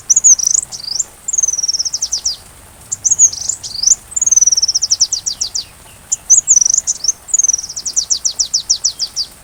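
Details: Sunbird song for teaching a white-rumped shama: bursts of high twittering trills and rapid falling notes, with long fast series of chips separated by brief pauses, clean background.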